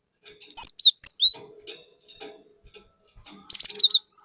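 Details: A cinereous tit in constant 'gacor' singing, played to provoke other tits: a phrase of clear whistled slurs, a short pause, then a dense burst of rapid high chirps.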